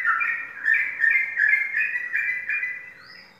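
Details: A caged contest yellow-vented bulbul, a trophy-winning competition bird, sings a bubbly run of rich, warbled notes, about three a second, rising and falling in mid pitch; a faint high whistle follows.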